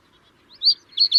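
Common reed bunting giving three short, high, chirpy notes in quick succession, the last two close together, over faint low background hum.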